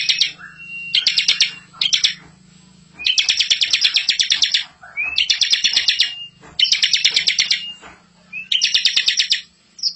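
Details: Bar-winged prinia master song, a very vocal rolling song for prompting young birds: dense rapid buzzy trill bursts about a second long, each sometimes led by a short rising whistle, repeated with brief pauses, with a faint low hum underneath.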